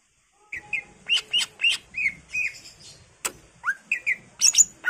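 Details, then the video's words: Greater green leafbird in energetic song, a lure for other birds, full of varied fill phrases: a fast, varied string of slurred whistles and chips, broken by a loud sharp click midway. "PANCINGAN CUCAK IJO GACOR FULL ISIAN"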